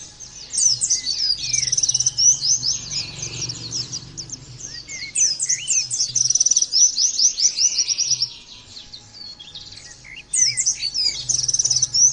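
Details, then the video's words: Nembak-style singing of an Oriental white-eye: sustained, excited high twitters and quick trills in long runs. The song drops quieter around eight to ten seconds, then bursts back in strongly. "terapi pleci bikin nembak mudah di tiru langsung ngotot bunyi"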